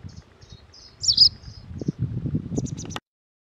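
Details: White wagtail (Motacilla alba) calling: thin, high chirps, with one louder, sharp twittering note near the middle, over low rumbling background noise.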